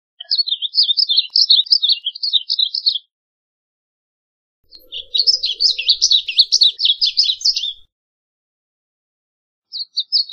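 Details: Varied bunting, Passerina versicolor, singing: quick warbled phrases of high chirped notes, about three seconds long, a pause, then a second burst of rapid twittering, and a third phrase just beginning at the end.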